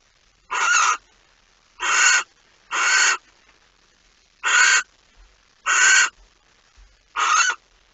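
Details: Barn owl at its nest early on 26 August 2019, second mouse of the night delivered: six harsh, noisy screeches in irregular rhythm, a few soft knocks and rustles between them.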